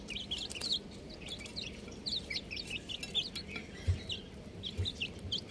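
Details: Baby chickens peeping busily, with many overlapping high, piercing downslurred chirps from several chicks, dense in the first second and then scattered, over a low rumbling background with a couple of soft thumps.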